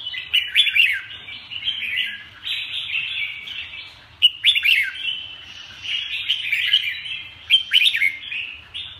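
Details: Red-whiskered bulbul song: continuous bright warbling chatter with bursts of sharp, down-slurred whistled notes near the start, middle and end, over a faint low hum.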